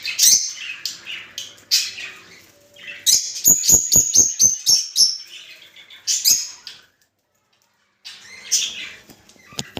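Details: Mating chatter of rosy-faced and Fischer's lovebirds, used to stimulate breeding: shrill, squeaky twittering in bursts, a run of rapid clicking notes in the middle, then a brief pause before more high chirps.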